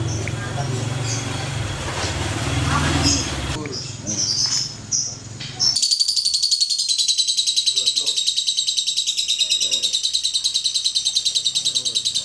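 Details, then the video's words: Indonesian contest lovebird, a multiple champion from Klaten, breaking into its ngekek after people talking over background noise: shrill, rapid, rattling chatter, about three to four pulses a second, carrying on steadily to the end. "LOVE BIRD RORO, 3 MENIT NGEKEK"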